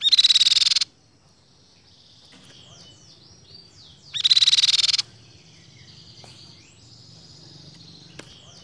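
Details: Ruby-cheeked sunbird song: two loud, dense, rapidly pulsed high trills, each under a second long and about three seconds apart, with faint thin chirps between them over a low background hum.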